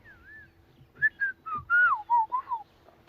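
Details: Black-crowned Tchagra at sunrise in Sabi Sand, South African bush, 22 May 2016, giving a run of about eight rich, slurred whistles, mostly falling in pitch, over roughly two seconds after a soft opening whistle; faint background hum.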